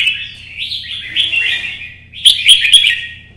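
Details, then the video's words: Caged red-whiskered bulbul in competition singing, meant to provoke rival birds: a long fluty warble that wavers and rises, then a louder burst of bright, bubbling whistled notes. "CHÀO MÀO | Nắng sớm solo chạy cầu hót đấu kích chim T730"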